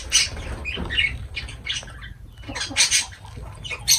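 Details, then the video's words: Lovebirds give harsh, high squawks and chirps in quick irregular bursts, with several calls overlapping, over low rumbling background noise. "Love birds voice sound"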